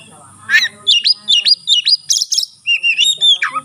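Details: A white-rumped shama in full song, opening its tail, sings to spur other shamas; a rapid run of sharp, repeated high chirps, about two per second, then a long whistled note sliding downward.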